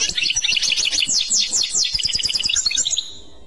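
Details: European goldfinch singing in the clochette style: a fast, continuous run of high, tinkling, twittering notes with quick buzzy trills for about three seconds, then falling silent.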